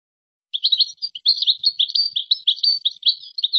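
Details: European goldfinch in Moroccan song style, including the gazrat and srrr bertbertiyo phrases: a continuous fast stream of bright, tinkling twitters and short trills lasting about three seconds, with no background noise.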